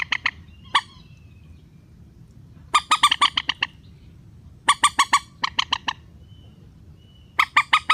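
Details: Rail call played as a trapping lure to bring birds down for nets: clustered series of harsh, rapid nasal squawks, each burst six to eight notes, repeating every two seconds or so, with a faint whistle between.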